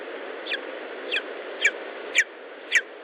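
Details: Nest of a lesser spotted eagle in Estonia, 19 July 2012 around 10:54; five loud, clipped, high yelps spaced about half a second apart, growing stronger toward the end, with steady hiss behind.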